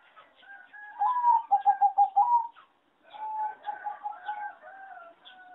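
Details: Competition singing zebra dove from a breeding farm, whose melody is called poor. It gives a quick staccato train of about six coos ending in a rising note, then a brief pause. A softer stuttering coo series and surrounding bird chirps follow.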